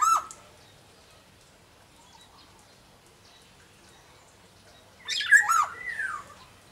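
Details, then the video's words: Black-naped oriole from Sumbawa, kept as a songbird: a faint clipped note at the start, then after a long pause one loud rasping, nasal call that dips and rises again. "suara burung kepodang sumbawa GACOR DOR"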